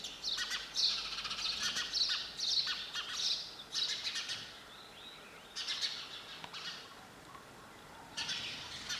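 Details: Busy sparrow chattering: rapid high chirps tumble together in bursts, pause, then resume in scattered clusters.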